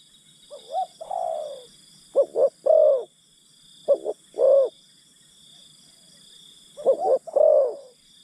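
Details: Spotted dove used to coax forest birds, giving a slurred rising-falling coo, then two short-short-long coo phrases and a final one after a pause, against a steady high background tone.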